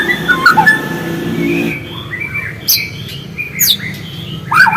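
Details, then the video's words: White-rumped shama song played as a lure to make birds sing, with a natural voice: a brief whistled phrase, a quieter pause, then sharp high sweeping notes and a final rich whistle. "PANCINGAN MURAI AGAR GACOR DENGAN SUARA ASLI"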